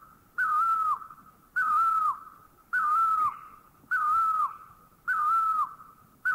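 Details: Thai Great Barbet calling steadily, a series of about six ringing whistled notes that stay even then drop briefly at the close, repeated at a regular beat of just over one second, with nothing else audible.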